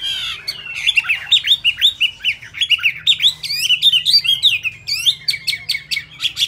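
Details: Rapid song of a Chinese hwamei whose feathers have not dried: continuous varied whistles and zigzag slurs tumbling into sharp chirps, with no pause throughout.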